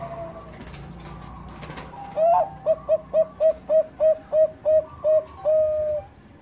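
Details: Lure recording of a lively Bangkok-type zebra dove: after a noisy start, a rapid run of about ten clipped, evenly spaced low coos closing on one longer held note.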